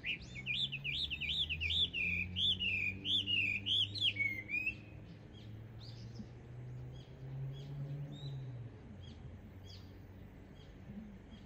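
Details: Introduced Chinese hwamei singing from birch trees on a long sunny spell: loud looping whistled phrases repeated rapidly for about four seconds, then fading into softer distant chatter over a low hum.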